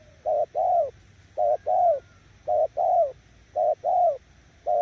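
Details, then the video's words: Spotted dove decoy bird repeating a regular two-note coo, a clipped note and a longer falling one, about every 1.2 seconds, clear in a quiet background. "Nước gù ae tự đánh giá, mồi yếu gặp thứ này chắc cũng thua"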